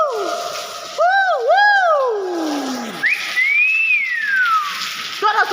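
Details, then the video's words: Hill myna giving loud, pure whistles: two quick looping notes, then a long rising-and-falling slurred whistle, ending in short clipped notes. "VIRAL BEO GACOR SUARA ASLI"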